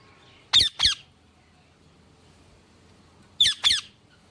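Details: Ringneck parakeet giving two pairs of sharp, harsh, high-pitched squawks about three seconds apart, with quiet low background noise between them.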